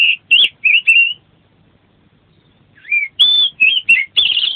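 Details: Kacer or Oriental magpie-robin in gacor full-isian song: four clear whistled notes with a short trill, about a second and a half of silence, then a fresh burst of strong whistles and a buzzy ending.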